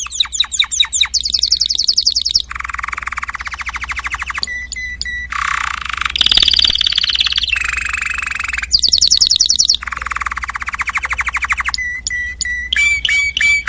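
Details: Java sparrow delivering a long, loud song that alternates rolling low trills, rapid high buzzy bursts and sharp clicking note series, with a few short gaps between phrases.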